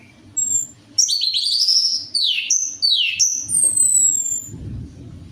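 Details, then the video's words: Orange-headed thrush lure song to get a kept bird singing: quick cascades of high slurred whistles falling in pitch, with a thin drawn-out whistle near the end over a low hum. "DENGAN PANCINGAN ANIS MERAH AMPUH INI, ATASI SUSAH BUNYI ANIS MERAH"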